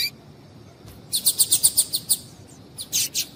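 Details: Female double-collared seedeater calling to heat up a male: a quick run of about eight thin, high-pitched ticking notes at roughly eight per second, then a pause and a couple of louder, buzzier chips.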